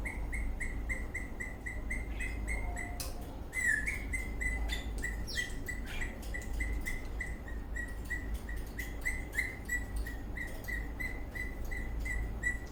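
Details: Dancing eastern rosella parrot, happy, chirping steadily in a long even series of short notes, a few per second, with scratchy tapping and rustling sounds mixed in.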